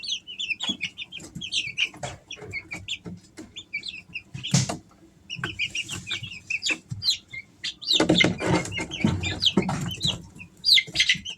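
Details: Several Easter Egger chicks, three weeks old, keep up a busy chorus of high, short cheeping notes, with bursts of loud rustling and scuffling partway through and again near the end.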